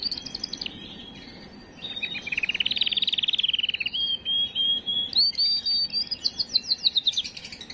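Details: Canary song played to stimulate and prepare females for breeding: rapid buzzy trill rising around 2.5 seconds, then pure whistled notes and fast repeated downslurred chips, varied phrases sung continuously with faint background hiss.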